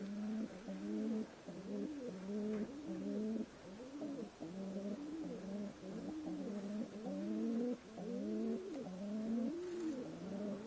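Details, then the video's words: Continuous low pigeon cooing, a steady chorus of short rolling, bubbling phrases repeated without pause for over ten seconds, dense and droning. "Natural Peagion Voice"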